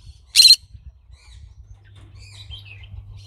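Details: A green-cheeked conure lets out one short, raspy screech, followed by soft faint chirps and a low background rumble.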